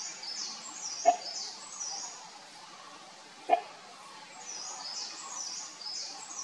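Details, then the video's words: Great hornbill calling: two short, harsh, loud barking notes about two and a half seconds apart over a steady high-pitched insect chorus. "The Great Horn bill call"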